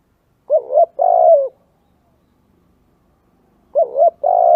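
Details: Spotted dove cooing for luring doves: two identical phrases about three seconds apart, each a short wavering coo and a longer sustained, gently falling note.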